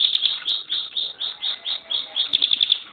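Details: High, sharp notes from a caged Bar-winged Prinia, the Javan ciblek gunung kept as a contest bird, come in short chattering bursts about three per second, ending in a quick run of clipped notes.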